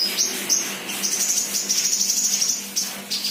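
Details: Untrained sunbird singing actively in a fast, thin, very high trill of rapid ticking notes held for over a second, between sharp chirps, over a constant low hum.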